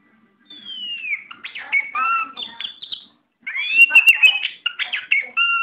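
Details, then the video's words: Oriental magpie-robin, a competition bird described as steel-nerved and ready to contest, singing a varied run of clear whistles: a long falling slurred note, then quick chirps, buzzy trills and steady high whistles, pausing briefly mid-phrase. "Burung KACER mental baja siap diadu"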